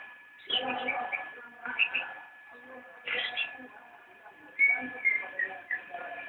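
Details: A cicak rowo, the Javan white-eye, sings nyinden: clustered bursts of chattering warble, then a clear sequence of separate whistled notes near the end.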